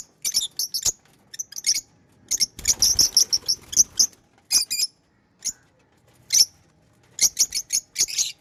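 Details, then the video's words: Pet lovebirds chirping: short, sharp, high-pitched chirps in quick clusters separated by silent gaps, with a brief burst of rustling, fluttering noise near the middle. "Love birds chirping & Sound"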